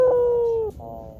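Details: Drawn-out tail of a white Barbary dove's coo, recorded for luring wild doves: one smooth, level, mellow note slowly sliding lower and ending abruptly, followed by a softer, fainter tone.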